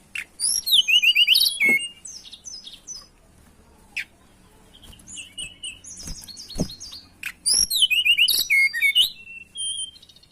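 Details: Lesser shortwing, known locally as tledekan, in breeding condition and seeking a rival, gives two energetic bursts of rapid, tumbling high whistles and chirps. Quieter scattered notes and clicks fill the space between them.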